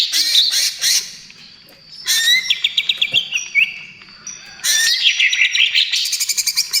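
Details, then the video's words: Greater green leafbird singing trotol style, used to lure and soothe other birds: three loud phrases of sharp repeated notes and slurred whistles, separated by quieter pauses of about a second. "SUARA CUCAK IJO TROTOL GACOR"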